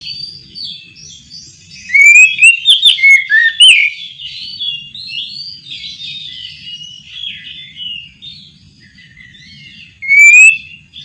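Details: Kacer, the Oriental magpie-robin, singing at night: loud clear whistled phrases with sliding notes, followed by a long stretch of softer warbled twittering and another strong rising whistle near the end, over a faint low hum.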